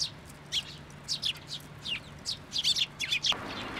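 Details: Fledgling Eurasian tree sparrows at a shrine's plum tree, late May 2024, flocking in for food: a stream of thin, high chirps, some paired, growing busier toward the end before a sudden rush of noise.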